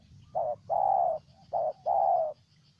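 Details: Spotted dove from Ninh Thuan, Vietnam, giving a low cooing phrase: a short coo, a longer coo, a pause, then another short and long coo pair, with faint background hum.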